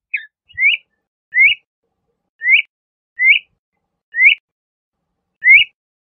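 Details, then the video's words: LeConte's thrasher giving a single rising whistled note over and over, about once every second, clean and evenly spaced, with faint low thumps in the background. "LeConte's Thrasher Bird Song, Call, Chirp, Voice - Cuitlacoche Pálido Canto"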